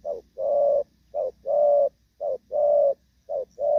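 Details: Moulting spotted dove of the Thổ Pha style keeps its good coo: three to four paired calls, a short note then a broad sustained coo, over faint low background hum.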